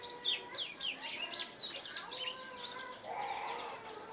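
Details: A two-month-old Black-throated Canary, hatched 8 August 2014, sings a rapid, rambling run of high twitters, quick sliding whistles and short trills, with a faint steady hum underneath.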